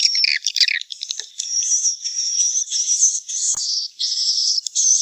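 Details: Swiftlets, as used for swiftlet-nest businesses: opening clicks and chirps lead into long, high, buzzy trilling notes, each running a second or more, separated by short breaks.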